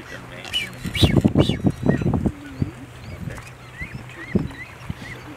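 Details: Blue-footed booby giving a burst of harsh, pulsed honks and grunts, followed by a few single honks, with faint, thin whistled slurs above.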